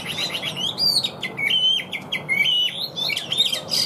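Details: Chinese hwamei in a cage, singing nonstop in an even voice: a rapid run of clear whistled notes, stepping up and down, each short phrase slurred into the next, over faint background hum.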